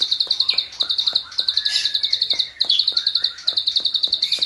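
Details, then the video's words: Klik-klik bird, a training recording in an energetic burst style: quick strings of high clicky chirps in short runs, with fainter lower twittering and ticking clicks in the background. "masteran burung klik klik gacor || full tembakan ngebren"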